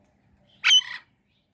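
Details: Indian ringneck parrot giving a single short, harsh squawk that trails into a rougher buzzy tail, about four tenths of a second long, against near silence.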